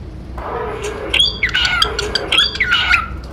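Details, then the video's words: Pet cockatiels singing at home during whistle training: squawky chirps and short whistled notes that dip and rise, over a steady background hiss. "Cute Cockatiels Whistling & Singing"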